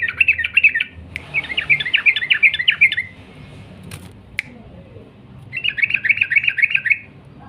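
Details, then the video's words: Sooty-headed bulbul repeating long rapid trills: a short burst of chattering notes, then a longer one of about two seconds, a break with sharp clicks, and a final one-and-a-half-second run of fast repeated notes. "burung trucuk gacor ROPEL PANJANG"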